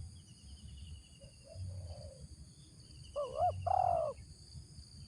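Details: Spotted dove decoy bird with a 'ngeruk' voice starts with a few faint, low, distant-sounding coos. Then it gives one loud phrase of two quick notes followed by a long, level, hoarse coo.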